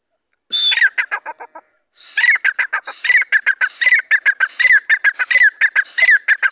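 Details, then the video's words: Large Dakhni grey francolin, described as king-size. It gives loud, shrill, rhythmic calls in quick repeated notes, rising in bursts that follow one another about every half second after a short opening phrase. "teetar ki awaz/teetar ki boli/teetar ki voice"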